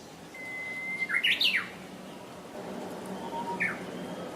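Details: Japanese bush warbler giving the hokekyo song: a long, steady, flat whistle, then a quick tumbling series of rising and falling warbled notes, followed by a brief fainter note, with soft outdoor ambience.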